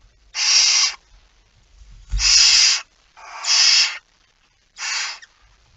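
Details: Barn owl at a nest at 05:28 on 19 September 2019, giving four harsh, broadband hissing screeches, each close to a second long with short silent gaps between them, over faint low thumps.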